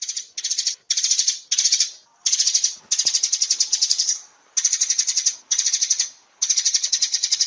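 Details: Sparrows calling in dense, high chattering bursts, each lasting about half a second to a second and a half, separated by short gaps, giving a busy, rattling chirping texture.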